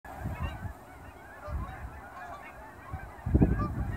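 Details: Canada geese, hundreds leaving ponds for grain fields just after sunrise in fall near an airport in Dawson Creek; dense overlapping honking from a large flock, louder burst of honks near the end, over steady low wind rumble.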